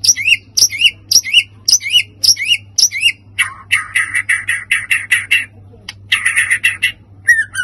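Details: White-rumped shama song used for provoking other birds, rapid repeated upswept whistles giving way to a chattering series of harsher, clipped notes, then more whistles, with a constant low hum underneath.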